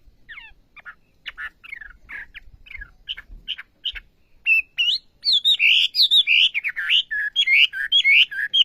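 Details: Olive-backed sunbird (wambi) in full, lively song: sharp, thin descending chirps at first, then louder, rapid, warbled twittering phrases of high, bouncing notes that run on without pause.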